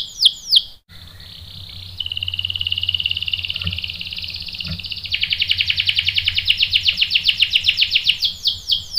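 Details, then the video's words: Canary singing in a bait recording meant to make a male answer: two swooping whistles, a cut, then a long buzzy trill building into a fast, loud rolling series and swooping notes. "PANCINGAN KENARI GACOR bikin EMOSI jadi NYAUT GACOR NGEROL | CANARY SINGING"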